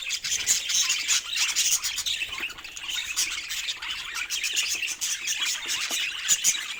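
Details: Budgerigar keeps up a rapid, scratchy warble laced with short chirps and squawks, evenly loud throughout with small bursts of emphasis.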